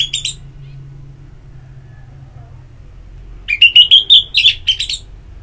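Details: Ngeplong-type therapy song of an orange-headed thrush meant to encourage singing: a brief high fragment, a long hush, then a fast string of sharp, trilling whistled notes.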